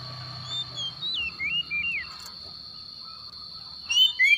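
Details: Oriental magpie-robin in the morning giving a few slurred, descending whistles, then quiet, then two sharp whistled notes at the end, all under a constant high-pitched whine and low hum.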